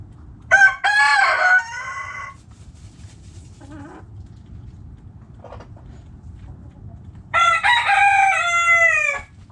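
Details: Backyard chickens: a rooster crow at the start, a couple of soft faint clucks in the quiet middle, then a second long, bright, harmonic crow near the end.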